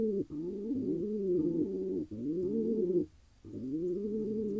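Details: Wild male pigeon in Israel, calling after finally finding a mate: low, throaty cooing in arched, rolling phrases about a second long, broken by brief pauses, in a quiet indoor-sounding space.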